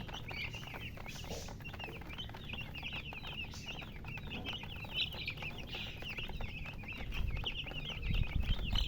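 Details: Colored chickens chirping in a dense, overlapping chorus of short, high, rising-and-falling peeps, several per second throughout, over a steady low rumble that swells louder near the end.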